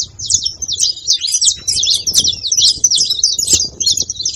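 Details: Saffron finch song played to stir up a quiet canary: a fast, continuous run of high chirps and twittered notes, busy and unbroken for several seconds, over faint low rumble.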